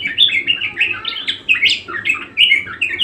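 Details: Budgerigar in persistent song, loud rapid chirps and twittering slurred notes pouring out in a steady chattering stream, one sharper high note standing out near the middle.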